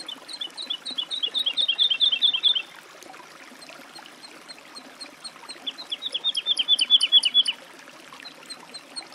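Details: Woodlark delivering two phrases of rapid, repeated, melodious descending notes, each accelerating and swelling before stopping abruptly, with a quiet gap of several seconds between them.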